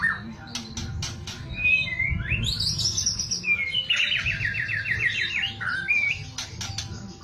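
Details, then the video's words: White-rumped shama singing in the kretekan style favoured by contest judges: sharp clicks, a whistle sweeping up high, then a fast rattling trill held for over a second, and a final dropping whistle over low rumbling background noise. "KRETEKAN murai paling di cari JURI langsung nyaut murai macet LANGSUNG EMOSI"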